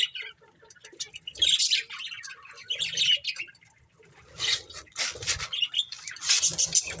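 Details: Pet budgerigars in a family group chatter in uneven bouts of scratchy, squeaky twittering, quieter around the fourth second, then rising again into busy overlapping chirps with low rustling.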